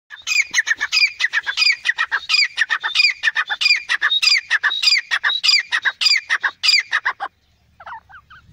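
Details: Male and female francolins call in a harsh, grating run of rapid squawky notes, overlapping as if the two answer each other, stopping after seven seconds; faint chirps follow.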